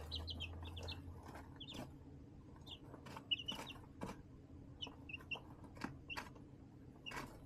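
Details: Chicks in a tote brooder box with hardware-cloth windows and a heat lamp, March 20, 2024: scattered thin high peeps mixed with sharp clicks and scratching on the liner, a faint low hum at the start.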